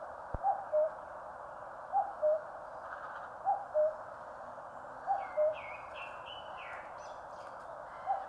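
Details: Cuckoo in the Korean mountains sounding its even cuck-oo about every one and a half seconds, five times, with a sharp click early on and a smaller bird's quick whistled notes overlapping later.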